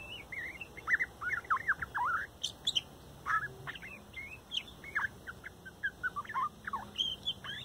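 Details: Young male bird, strongest chick of a fourth 2019 nesting, on his last day before leaving for his own territory, sings softly by a phone eight inches away: a quiet, complex run of warbled, twittering chirps with brief pauses and occasional higher, sharper notes.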